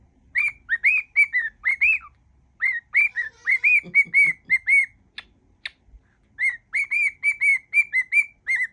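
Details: Whistling pet cockatiel running through a mash-up of tunes; steady streams of bright, arched whistled notes in phrases, a short low sound and two clicks in the middle, then more brisk whistling.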